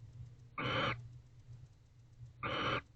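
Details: Wild barn owl pair in a nest box late at night in October, calling around mating and affectionate preening; two harsh hissing screeches just under half a second each, nearly two seconds apart, over a steady low hum.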